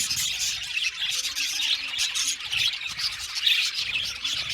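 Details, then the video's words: Group of budgerigars giving busy overlapping chatter: rapid high twittering notes and short rasping squawks blending into a steady warble. "Budgies parakeets chirping sound | Cute Budgies birds singing sound"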